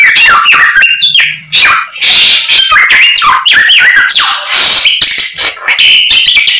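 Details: White-rumped shama in constant, vigorous song full of learned phrases, pouring out a loud, dense stream of varied whistles, chattering notes and quick rising and falling sweeps, with barely a pause across the recording.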